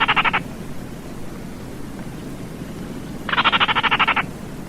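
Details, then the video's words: Baillon's crake: the tail of one rattle, then after a quiet gap a full dry, pulsed rattle of about a dozen quick clicks over roughly a second, with steady background hiss. "SUARA BURUNG RAWA TIKUSAN KERDIL"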